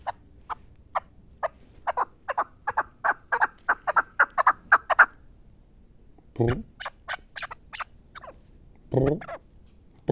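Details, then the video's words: Chukar partridge of the Pamirs calling in a fast, accelerating series of dry chuk notes for five seconds, followed by further scattered notes broken by two deep, louder sounds. "Кабки Помир"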